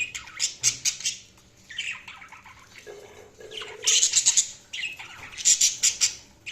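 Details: Budgies chattering and chirping: rapid, scratchy, high squawks and chirps in dense clusters, one lower buzzy note in the middle, then loud bright chirp bursts repeating quickly.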